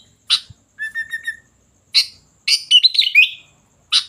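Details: Sooty-headed bulbul: a harsh note is followed by a soft, steady trill of tiny repeated clicks. After another rasp comes a rich, rolling burst of bubbly whistles and a final scratchy call.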